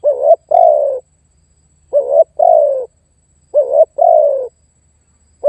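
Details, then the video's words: Spotted dove challenging a rival as a trapping lure: loud, clean phrases of a quick wavering note plus a longer falling coo, repeated about every one and a half seconds. "SUARA TEKUKUR MEMANGGIL DAN MENEKAN LAWAN"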